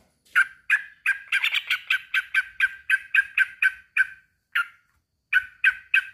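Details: Male sooty-headed bulbul calling a rival: a long run of short, harsh chattering notes repeated roughly every third of a second, briefly pausing near the end before three more notes.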